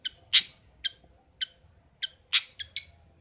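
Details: Long-tailed shrike (pentet or cendet) kept at home: sparse, clipped, scratchy notes with two louder buzzy rasps, uneven spacing.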